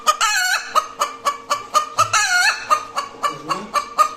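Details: Hen's noisy call after egg laying, a fast even series of sharp clucks around four per second, broken by a long strained squawk midway.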